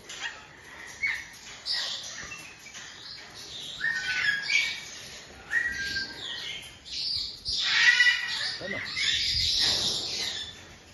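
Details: Blue-and-yellow macaw (Ara ararauna) in an aviary giving harsh, raspy squawks in uneven bursts, with a person speaking nearby offering it food.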